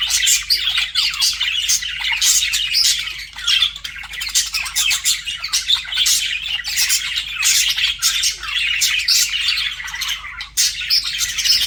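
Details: Several budgies flirting: continuous high, buzzy twittering and sharp squawks tumble over each other in a lively, unbroken warble, the loudness rising and dipping but never stopping.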